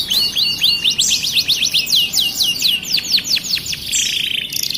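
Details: Starblue canary singing, a fast run of high sweeping notes at about four per second, then a denser rattling trill at the end.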